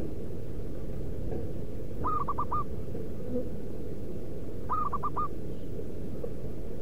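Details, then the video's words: Wild local zebra dove calling, used to draw in other wild doves: a pair of brief cooing bursts, each made of rapid staccato soft notes, spaced a few seconds apart against constant low-pitched background noise. "Merbuk pikat lokal suara si battosai pemanggil perkutut di alam liar"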